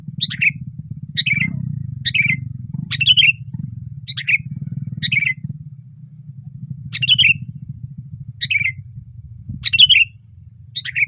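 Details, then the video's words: Loud, lively (gacor) song of a sooty-headed bulbul perched on a branch: about ten brief chirpy phrases, falling at the end, given in uneven bursts roughly every second, with a constant low engine-like hum beneath. "SUARA BURUNG KUTILANG GACOR KERAS KETIKA DIATAS RANTING"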